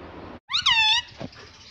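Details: Talking green ringneck parrot at home, said to say "mummy"; a single loud, nasal call lasting about half a second, rising slightly then falling, followed by a faint click and low hiss.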